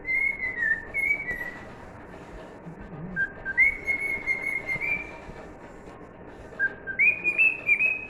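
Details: Cockatiel performing "If You're Happy and You Know It", bright whistled notes in a steady phrase pattern, a lower note leading into a sustained higher tone, then silence and another rising phrase.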